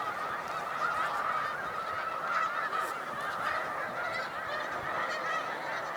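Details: Snow Geese in huge spring-migration flocks at a rest stop on Cayuga Lake, New York, March 2021, keep up a steady wall of overlapping yelping honks. A few clearer individual notes stand out above the crowd.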